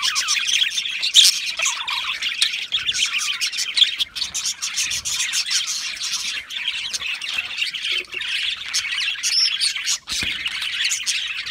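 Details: A group of budgerigars chatters nonstop with high twittering, squeaky warbles and brief harsh squawks, forming a thick, even wash of bird voices for the whole stretch.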